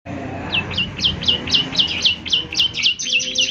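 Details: Young Bar-winged Prinia (ciblek semi) in gacor style, played each morning to prompt other ciblek to answer: a fast, fairly even string of high, sharply down-slurred chirps, about four per second, over a faint low hum.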